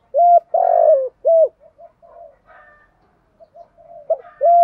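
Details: Spotted doves, male and female, cooing to stimulate trained birds for contests: loud mellow coos in a quick phrase, a long wavering note then short steady ones, with softer faint coos between, repeated about twice a second.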